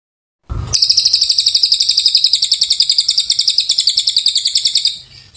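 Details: Continuous long song of an Oriental white-eye: a thin, very high, fast-pulsed trill sustained for roughly four seconds after a brief low thump at the start, then tailing off.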